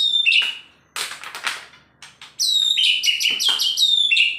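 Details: Agitated male White-rumped shama, a kept bird in Indonesia: clear ringing whistles, a noisy rasping burst and short clicks, then a run of loud, bright whistled notes repeated rapidly with sliding pitch.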